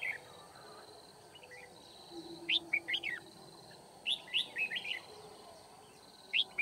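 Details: Red-whiskered bulbul decoy singing to challenge wild rivals during trapping at Kim Bôi, Hòa Bình, Vietnam, on 9 February 2019: short bright warbled phrases of quick rising-falling notes in three bursts, separated by pauses, over steady background hiss.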